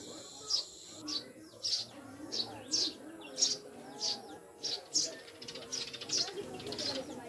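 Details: Several Eurasian tree sparrows (maya), kept as newly acquired pets and described as mountain birds, give short, sharp, high chirps about once or twice a second, with a steady high whine and low murmuring voices in the background.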